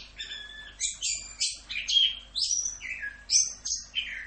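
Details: Tutor-style 'Rock'n Roll' song of an orange-headed thrush: clear whistled notes and downward slurs, with bright high phrases jumping between pitches every half second or so, delivered in a steady, lively flow.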